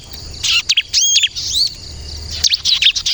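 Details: Crystal-type bar-winged prinia in full song, for luring and provoking other birds to reply: high, sharp chirps and quick slurred whistles in short bursts, with a quieter gap mid-phrase and a faint low hum.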